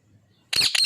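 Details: Pet ring-necked parakeet bursting into two loud, rasping screeches in quick succession, harsh and noisy, after a brief moment of near silence.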